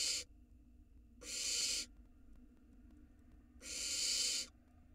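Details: Young barn owl nestling in an Israeli nest box during the 2022 season, gulping down a large rat: loud rasping hiss-screeches, each roughly half a second, one opening the recording and two more following, about two seconds apart.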